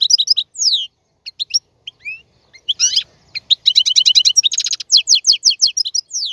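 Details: Male European goldfinch singing for chick tutoring: scattered chirps and thin whistles at first, building into a fast, jangling twitter of repeated notes with a buzzy passage, clean and without background.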